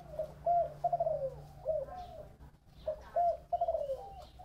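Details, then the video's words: Spotted dove giving its 'thổ bầu' style coo, two rolling phrases of mellow, low coos that slur downward, separated by a short pause, over a quiet background hum. "Tiếng chim cu gáy giọng thổ bầu"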